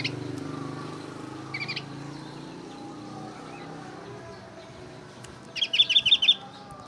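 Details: Oriental white-eye imitating a bulbul: a brief cluster of high notes, a pause, then a loud, fast series of about six sharp chirps.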